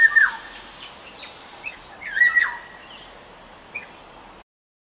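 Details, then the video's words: Short whistled call at the start, then a louder hooked whistle with a buzzy top about two seconds later, followed by faint scattered notes before the sound cuts to silence. "Bird Call Quiz"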